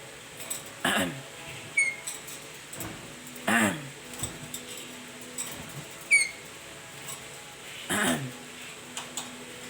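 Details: Talking black-capped lory kept as a pet, uttering brief rough voice-like syllables that sweep downward, about three strong ones with softer clicks and thin high whistles between, over a constant low hum.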